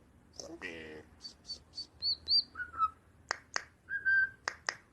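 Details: White-eyebrowed myna, tame and rare, imitating robot sounds: a buzzy harmonic blip, quick high ticks, thin rising whistles and level whistled notes mixed with sharp clicks.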